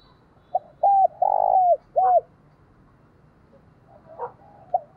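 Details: A spotted dove provoked by a decoy bird: one four-part coo phrase with a short pip, steady note, long pulsing descending coo and curved end note, then quieter distant coos and soft noises.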